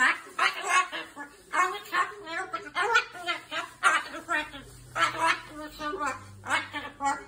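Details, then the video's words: An excited pet umbrella cockatoo babbles its daily "story" in rapid, speech-like bursts of raspy syllables, rising and falling in pitch with brief pauses, over a faint low hum. "Umbrella cockatoo rant"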